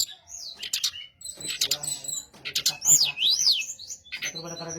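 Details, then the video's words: Brown-chested jungle flycatcher singing to draw replies from others of its kind: clusters of sharp high chips, a bright swooping zigzag whistle, then a buzzy harmonic phrase. "SRDC Sikatan Rimba Dada Coklat - Pancingan untuk SRDC lain pasti nyaut"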